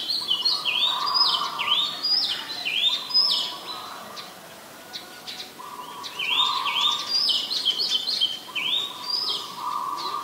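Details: Oriental magpie-robin, a very common resident, recorded 20 March 2022 in Ubon Ratchathani, Thailand, with a Nikon P1000: loud, varied whistled phrases of rising and falling notes, repeated in bursts, over a steady lower hum and high insect drone.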